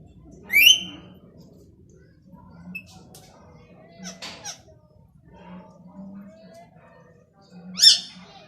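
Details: Plum-headed parakeet giving a sharp rising squawk, then a second, harsher one seven seconds later, with a person's low voice and scattered clicks between.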